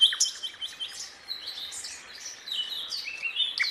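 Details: A sikatan londo flycatcher, in a tutor recording for training competition songbirds, sings a fast, high, twittering run of thin chirps and short trills with almost no pause, over faint background hiss.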